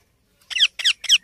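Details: Baby Indian ringneck parakeet uttering three or four loud raspy squawks that slide downward, closely spaced after a brief silence.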